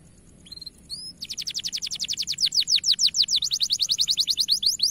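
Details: Canary song from a training recording, bright-coloured bird with a powerful, long-lasting voice: two thin whistles, then a fast, even trill of high sweeping notes repeated about three times per second, growing louder.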